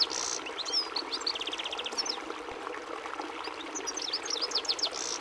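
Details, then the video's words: European goldfinch song: a lively, high twittering of tinkling notes, quick even trills and short buzzy phrases in rapid succession, over a constant rushing, water-like background noise. "Canto do Pintassilgo Português"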